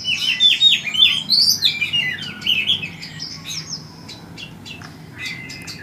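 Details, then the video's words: An oriental magpie-robin sings a rich, varied phrase of whistled slurs and sharp chirps, loudest in the opening two seconds, then fading into sparse softer notes and clicks against low background noise. "Kacer ngeplay"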